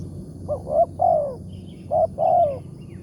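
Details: Spotted dove, a wild bird targeted in a morning decoy-trapping session and described as having a big 'tarik akar' voice. Two coo phrases, each two short clipped notes then a long, lower, falling coo, over a steady low background hum.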